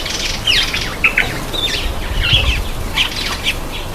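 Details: A black-eyed bulbul taking a bath gives short, bright chirps and quick slurred notes several times a second over a steady low rumble of splashing and wing flutters.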